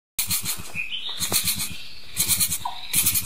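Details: Male Cabot's tragopan, native to southeast China, in courtship display, giving short bleating notes among bursts of rustling and throbbing low pulses, with a brief rising whistle partway through.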